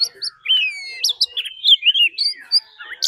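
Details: Decoy Oriental magpie-robin singing its fighting song, joined by a wild female's call: varied whistles and slurred warbling phrases, some held notes gliding gently downward, with sharp chirps between, clean and without background noise.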